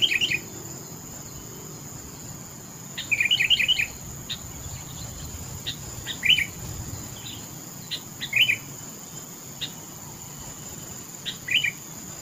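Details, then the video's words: Melodious topcer song of a Sooty-headed bulbul: short bursts of bright chirps repeated every few seconds, one longer rapid cluster near the start, and faint single ticks between, over a constant high hum. "Suara burung Kutilang TOPCER merdu sekali"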